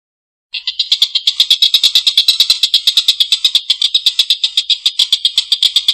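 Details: Collared kingfisher in good calling form, giving its long, harsh laughing call. After half a second of quiet, a rapid run of rasping, buzzy pulses starts and carries on steadily, mixed with sharp clicks.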